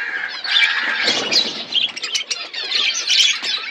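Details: Budgies eating seeds in a natural outdoor aviary chatter in rapid high chirps and short squawks, with soft wing flutters and rustling mixed among the calls.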